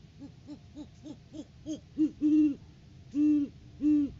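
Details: Courting-season great horned owl at a nest tree, recorded by a live cam in January 2023. Short low hoots quicken and grow louder, ending in three long, strong, sustained hoots.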